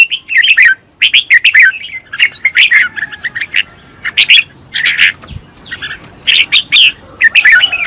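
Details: Red-whiskered bulbul, a decoy bird being trained to sing, pours out a long run of rich, tumbling whistled notes in rapid phrases with brief gaps between them.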